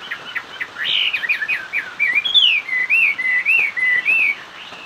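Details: Chinese hwamei in hót xòe song, opening with a rapid run of short varied notes, then a loud bright upslurred whistle followed by a series of rounded, wavering whistled phrases.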